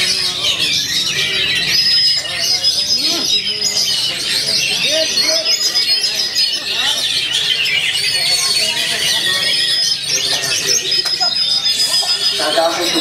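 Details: Caged Oriental magpie-robin (kacer), first-place winner at a practice singing contest, body nearly trembling as it delivers rough filler phrases; dense, rapid high whistles, trills and chattering notes pour out almost nonstop, with people's voices murmuring underneath.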